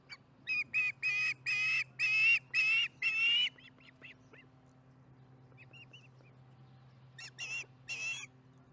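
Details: Osprey at its nest while eating dinner, afternoon of July 15, 2019: a rapid string of seven piercing, slightly rising whistled chirps, a few softer notes, a pause, then three more sharp chirps near the end, with low background hum.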